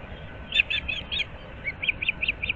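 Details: Early-morning calls from an osprey pair nesting at Moorings Park, Naples, Florida, 15 April 2024: two short bursts of sharp, high whistled notes, each burst of four or five chirps, over faint low noise.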